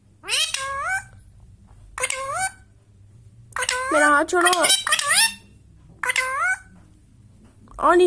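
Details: Indian Ringneck parrot calling in repeated bursts of upswept, harmonic whistles, a denser overlapping run in the middle, roughly every two seconds.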